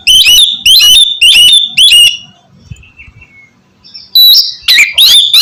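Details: Oriental magpie-robin song used to coax a reluctant bird into singing: loud, clipped whistled phrases repeated about twice a second, a short thin descending whistle in a quiet gap, then more sharp ringing notes.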